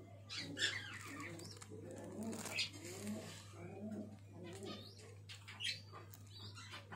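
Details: Black fantail pigeon squabs give soft, low murmuring coos mixed with thin, high squeaky notes over a steady mechanical hum, with a few faint voices in the background.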